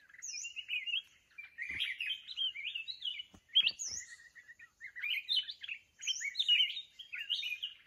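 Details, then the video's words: Mountain red-whiskered bulbul during trapping with a decoy bird. A dense, continuous run of lively warbling and chirping phrases, with a few faint clicks and knocks among them. "Chào mào núi bẫy đấu"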